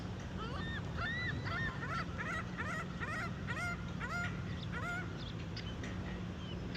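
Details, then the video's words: Gulls at a supercharger station in Hines, Oregon: several birds giving overlapping, repeated mewing calls that rise and fall in quick succession, over a steady low electrical hum. "Seagulls at the supercharger, Hines OR"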